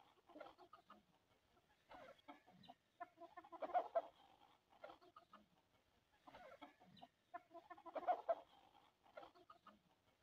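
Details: Hens eating sesame grain keep up low, murmuring clucks and light pecking, with louder bunched clucking bouts recurring roughly every four seconds.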